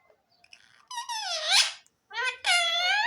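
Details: Pet pahari tota parrot producing two drawn-out harmonic speech-like utterances, the first rising sharply at its end, the second longer and steady, indoors.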